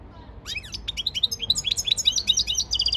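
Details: European goldfinch training song from 15 February 2024: after a soft rising note, a continuous stream of rapid, crisp, high twittered syllables pours out, bouncy and rhythmic, with clearly accented chirps throughout.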